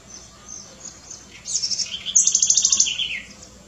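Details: Small wild house wren, also known as curruíra, a bird that lives even in city centres and eats insects, larvae, seeds and fruit, gives a bright bubbling song ending in a fast descending trill of repeated notes.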